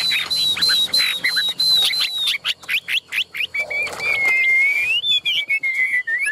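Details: Caged Chinese hwamei singing a high, steady whistled phrase repeated about four times per second, broken by brief harsh notes, then a long low whistle that rises and falls smoothly.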